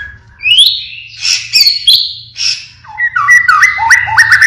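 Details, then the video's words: A pied (blorok) white-rumped shama in full song gives loud, varied siren-like whistles sweeping up and down, then a fast run of rising chirpy notes, over a low hum. "Keluarkan tembakan Sirine | Murai batu blorok Gacor"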